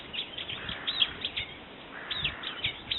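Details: Brown-eared bulbul calling: bursts of sharp, shrill notes sweeping down from high pitch, in two clusters roughly a second apart, with faint low background rumble.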